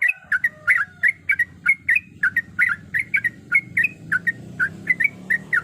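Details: Female yellow-vented bulbul in breeding condition calling the male: short bubbly, chattering notes in quick clusters, repeated steadily about twice a second, over a low steady hum.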